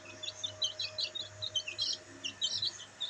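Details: Black bantam chicks basking in the sun, giving a dense run of shrill overlapping peeps, quick downward-sliding notes bunched in rapid bursts, with faint background hiss and a low hum.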